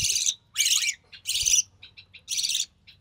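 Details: Recessive pied budgie chick, born early June 2020, begging during feeding; four loud raspy buzzes with short, faint chirps in between, and a soft low rumble under them.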